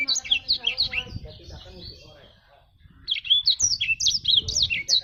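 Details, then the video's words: Black-throated canary (jabrig) song of quick high chirps and downswept notes in two short bursts, with a murmur of human voice and low background noise in the quiet middle stretch. "Burung blacktrut jabrig"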